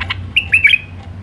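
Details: Wild White-eared bulbul giving one brief Alwazi-style phrase: three or four rich, liquid whistled notes bending up and down. Low background hum.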